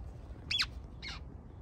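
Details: A pair of Western grebe hatchlings, found alone on a Bay Area reservoir and brought into wildlife rescue care, give two short, high, squeaky peeps about half a second apart over a low, steady background hum.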